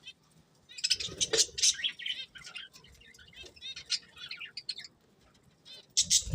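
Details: Several pet budgerigars chirping in short bursts of high twittering notes, with quieter pauses between and a low thump near the start and end.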